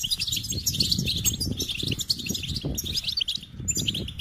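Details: Goldfinch singing a fast, high twittering song of tinkling notes and buzzy trills that runs without pause, over a steady low rumble of background noise.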